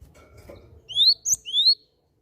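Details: Cinereous tit lure sound to prompt singing: two clear, rising whistled notes separated by a short high click, over faint low background hum.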